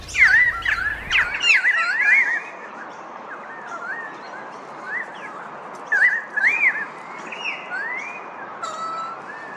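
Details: Pied currawong calling with loud, sliding whistled notes that swoop up and down, clustered in a burst at the start and then repeated in shorter phrases at about six and eight seconds.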